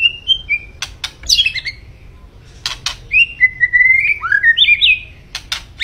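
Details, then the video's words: Energetic white-rumped shama song: high sustained whistles, a tumbling cluster of bright notes, then a long sliding whistled phrase rising to ringing flourishes, punctuated by crisp clicks. "Kicau Burung Murai Batu Gacor"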